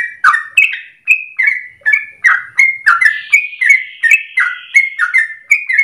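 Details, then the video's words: Yellow-vented Bulbul in chatty 'gacor dor ropel panjang' song, a lure for tutoring caged birds; rapid bubbly phrases of slurred notes, with a faint higher drawn-out tone behind the middle part. "Trucukan gacor dor ropel panjang untuk pancingan masteran pagi siang sore hari"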